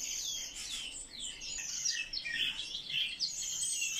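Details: Eurasian blackcap song made of flowing whistled and warbled phrases, descending and rising slurs following one another quickly with short scratchy notes between.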